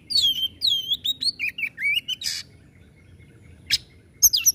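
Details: White-rumped shama in loud, fast 'tembakan' song style: clear whistled notes sliding down and up between high pitches, mixed with harsh buzzy bursts, in quick phrases over the first two seconds, then a pause and a few more notes.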